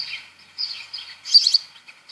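House sparrow giving a run of bright, slightly harsh chirps in quick irregular bursts, the loudest near the end; no other sounds stand out.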